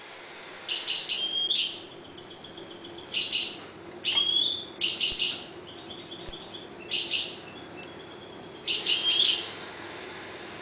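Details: Goldfinches breeding quietly in a 1.20 cage sing short bursts of high, jingling twitter phrases, one every one to two seconds, separated by brief pauses.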